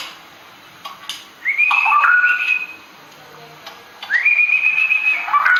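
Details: Straw-headed bulbul (cucak rawa) from the forest in 'ropel' song style. Two clear whistled phrases, each starting low and sweeping up into a long, steady high note, separated by a quiet gap.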